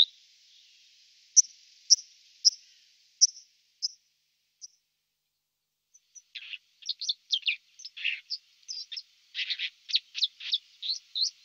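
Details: White-throated dipper on the Lieser river in Wittlich, 2019: spaced high thin notes at first, then a fast jumble of scratchy, buzzy chirps and twitters.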